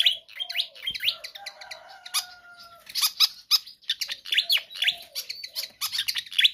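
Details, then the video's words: Pied fantail in full, nonstop song, offered as a lure for training other birds: dense bursts of high squeaky chirps and sharp clicks, with a few long low whistled tones running beneath. "Sikatan Kipas GACOR ISTIMEWA"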